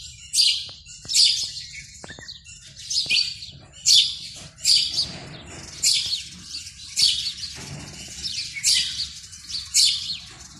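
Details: House sparrow male chirping at a nest box on an early February morning during breeding time, calling for females; rapid series of sharp, bright chirps about once a second, a few softer notes between, faint low rumble beneath.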